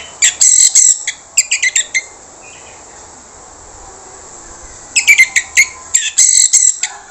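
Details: Harsh lure song of an orange-headed thrush, used to prompt quiet birds into answering: two runs of short, rasping, buzzy notes in quick succession, the first near the start and the second after a pause of about three seconds, over a constant high-pitched hiss.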